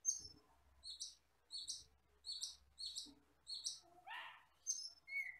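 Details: Black, red-eyed Asian glossy starling from the forest delivering a series of sharp, high whistled notes repeated roughly every second and a half. A lower rising chatter comes near the end, closing on a steady whistle.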